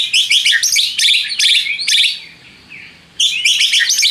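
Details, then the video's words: White-rumped shama song played to stir up rival birds: rapid, grating, chattering phrases packed closely together, a brief quieter gap with a soft rising note, then more harsh chattering. "PANCINGAN MURAI BATU PENDONGKRAK EMOSI MUSUH !!! di jamin NYAUT GACOR"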